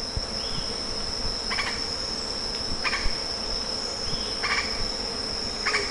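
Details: Lettered aracari with four spaced, short, scratchy rattles, each a tight burst of clipped notes, while an insect keeps up a steady piercing whine.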